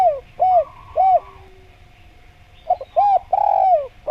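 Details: Spotted dove used as a lure for wild doves. A falling coo is followed by two rounded coos. After a long quiet gap, a stuttered burst of coos ends in a long downward slur.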